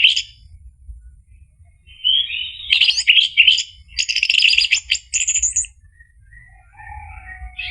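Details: Orange-headed thrush song in the full ngeplong style, used to prompt a silent bird to answer and sing. Bursts of rich, rapid, buzzy and whistled notes, some high and sharp, separated by short pauses, with a quiet low hum beneath.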